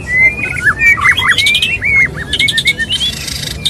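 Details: Male white-rumped shama courting a female, mating song of rich sliding whistles and quick upturned notes, interrupted by harsh rattling chatters.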